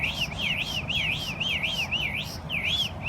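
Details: Morning bird chirping: a rapid chain of looping, wavering chirps repeated about four times a second, bright and high, with a faint low rumble underneath.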